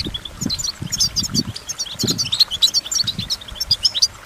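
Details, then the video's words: Goldfinch song: rapid, high metallic chirps and clear whistled notes in quick succession, mixed with low soft thuds throughout. "Goldfinch Motivation Performance"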